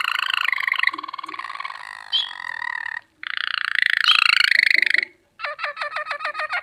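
A canary sings long bubbling, warbling rolls, then a fast run of rapid repeated notes, about nine a second.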